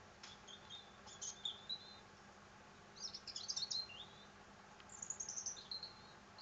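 European robin singing three short, high, thin phrases of tinkling and trilled notes, each followed by a brief pause, over a quiet background.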